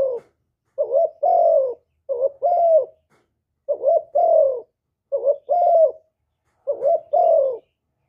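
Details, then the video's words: Full spotted dove song in hap boi voice, with calling, urging and cooing, recorded free of background noise. Five two-part phrases of a quick warbled note and a drawn-out, gently descending coo, spaced about every 1.3 seconds. "Cu Gáy Giọng Hạp Bổi ĐỦ BÀI (GỌI +THÚC + GÙ)"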